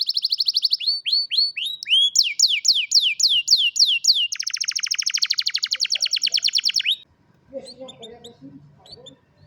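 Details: Canary singing, recorded by cellphone: rolling series of repeated upswept chirps, then a dense fast trill lasting several seconds, ending abruptly into faint background noise.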